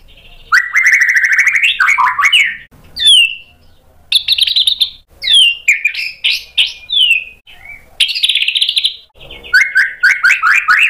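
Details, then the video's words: White-rumped shama singing a sharp, rich repertoire used to provoke other birds into answering: long run of rising and falling whistles, fast rattling trills and varied warbled phrases, loud and nearly continuous with brief gaps. "MURAI BATU GACOR bongkar isian tajam cocok untuk PANCINGAN biar ikut NYAUT BUNYI"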